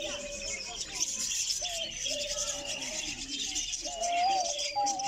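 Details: A diamond dove (Geopelia cuneata) calling, recorded close-up, gives soft, low, drawn-out coos, some bending upward, under a steady wash of high twittering from other small birds.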